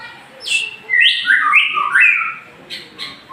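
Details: Male white-rumped shama singing: a loud run of clear, varied whistled phrases that step up and down, with a short high note first and faint chirps trailing after.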